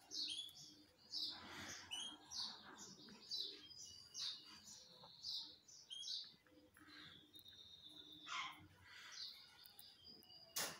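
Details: Belgian canary singing a lot while sunbathing: bright, high chirped notes in quick uneven bursts, with brief trills, a sustained level whistle near the end and a sharp click closing the phrase.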